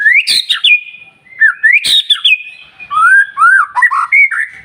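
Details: White-rumped shama singing in the morning to provoke other birds to sing: loud rich whistled phrases, rising slurred notes and sharp clicks, varied fluty motifs with short pauses between phrases.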